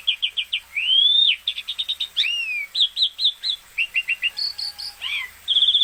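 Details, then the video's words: Asian pied starling singing vigorously. Quick chirps alternate with long upslurred and downslurred whistles, ending in rapid repeated notes and a buzzy trill. The song is loud and clean throughout. "Burung Jalak Suren gacor"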